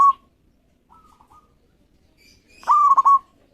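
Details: Local zebra dove in full song, used to provoke rivals into singing: one loud cooing phrase, a long note that breaks into three quick stuttered pulses, preceded by a brief note and a faint, softer phrase.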